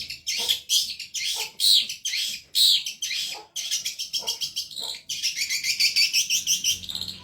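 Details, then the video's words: Long-tailed shrike (cendet) in Indonesia, singing hard in a tutor recording. Spaced, raspy high notes with sharp accents give way to a fast, continuous, trilling chatter that holds steady through the end. "MASTERAN BURUNG CENDET GACOR PARAH"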